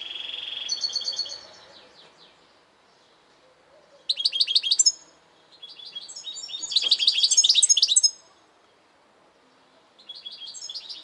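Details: European goldfinch song: a long high note, then bursts of bright, rapid twittering and tinkling trills. The bursts come in loud phrases of one to four seconds, separated by quiet pauses.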